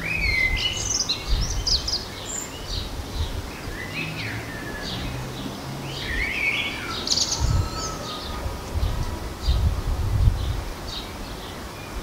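Short fluty blackbird phrases with high twittery endings every few seconds, among chirps from other garden birds over a steady low rumble of wind or distant traffic.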